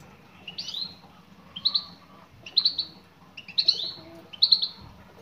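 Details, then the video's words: A female European goldfinch calls toward a male with five clear, high, upslurred 'tswee' notes, one roughly every second, evenly spaced against a quiet, low background hum. "بتبتات أنثى مقنين"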